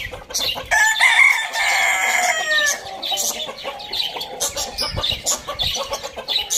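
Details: Rooster in the morning giving one long, strong crow of nearly two seconds, full and slightly wavering, then fading into a steady chatter of rapid high chirps from many small birds.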